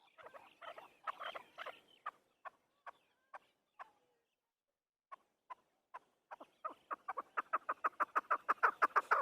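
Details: Afghani hunter chakor (chukar partridge) starts with a burst of harsh clucks, slows to spaced single chuck notes, falls briefly silent, then speeds into a rapid, even, accelerating series of loud chucking calls.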